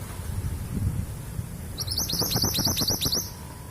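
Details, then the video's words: Long-tailed sibia hen of East Javan stock, a lure for males that have stopped singing, gives a quick burst of about eight sharp upswept chirps after a stretch of low rumbling background. "MANTENAN GUNUNG GACOR"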